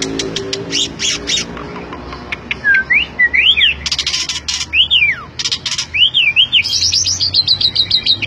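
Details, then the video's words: Asian pied starling singing ngentrok style: clicks and harsh bursts open, then varied whistled slurs rising and falling, loud broadband crackles, and a closing series of rapid high repeated notes, with low background hum. "KICAU SUPER JALAK SUREN NGENTROK"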